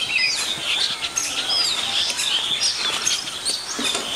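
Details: Chestnut-tailed starlings of the subspecies Sturnia malabarica nemoricola from China give a busy, continuous, overlapping jumble of high, squeaky chirps and thin whistles over a faint hiss.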